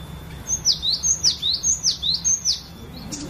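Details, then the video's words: Cinereous tit (glatik batu) from a collection, singing its varied lure song meant to prompt singing in other birds: about five evenly spaced pairs of piercing downslurred and rising whistles, then a brief faint chirp. "Ocehan Burung Glatik Batu Variasi"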